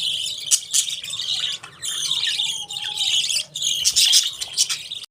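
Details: Budgerigars keep up a dense, scratchy warble with chirps and squeaky whistles, including a short thin whistled note in the middle, in bursts separated by brief lulls.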